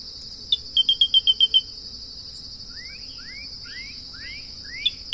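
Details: Grey-breasted crake delivering a single rapid run of high, clipped notes after a short lead-in note; another bird then gives several rising, slurred whistles, with a continuous shrill insect hum throughout.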